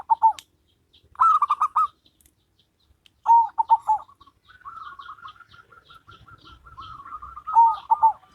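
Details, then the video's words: Zebra dove duet pitting a local bird against a crossbred bird: short bursts of rapid rolling coos, then a long, soft run of evenly repeated notes before another loud bubbling phrase. "Perkutut Lokal VS Perkutut Crossing"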